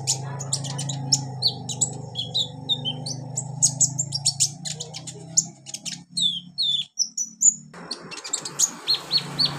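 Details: Olive-backed sunbird training recording for young birds, full of high, rapid chirps mixed with short downslurred whistles, delivered in lively, dense bursts above a constant low hum.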